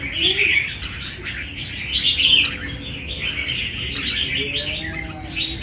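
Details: Captive wild-caught red-whiskered bulbul with fighting quality sings bursts of sweet, slurred whistles and chirps separated by short pauses, with quiet background murmur.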